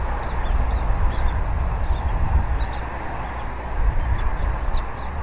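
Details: Nest of wild bald eagles at Berry College, 20 February 2019, during feeding of the eaglet with fish: clusters of short high squeaky chirps, two or three at a time, with steady low wind noise underneath.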